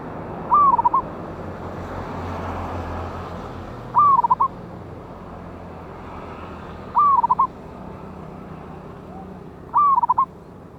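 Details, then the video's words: Wild local zebra dove (perkutut) with a loud voice, recorded as a lure on 11/8/24: four repeated cooing phrases about three seconds apart, each a stretched falling note ending in quick bubbling coos, with faint background hiss. "PANCINGAN BURUNG PERKUTUT LOKAL ALAM SUARA BESAR"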